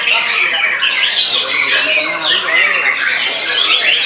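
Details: Shama singing hard after its moult, said to leave an opponent beaten: bright sweeping whistles over a busy bed of chattering, squawky notes, rapid and unbroken.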